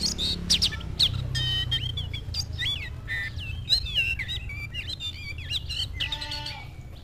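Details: Oriental magpie-robin meeting a rival, a varied sequence of looping whistles, sharp chirps and a harmonic buzzy note near the end, low hum throughout.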